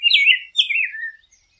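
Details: Rose-breasted grosbeak singing: two clear, rich warbled phrases, each a rolling, slightly descending run of whistled notes, the second trailing lower; quiet background.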